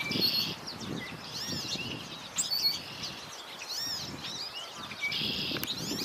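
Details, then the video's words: An American goldfinch calls with bright, high twittering chirps mixed with drawn-out buzzy notes, repeated steadily over a soft low rumbling. "American Goldfinch calling"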